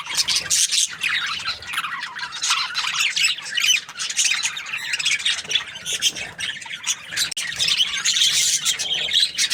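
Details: Happy budgerigar giving a long, steady run of harsh, chattering chirps and squawky warbles with barely a pause throughout.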